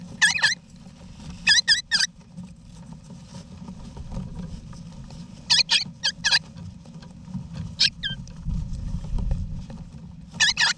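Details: Eastern rosella family, mother, father and babies, in a wild backyard nest box in Australia, November 2018. Short raspy double calls come in clusters of two to four through the recording, over constant low background hum.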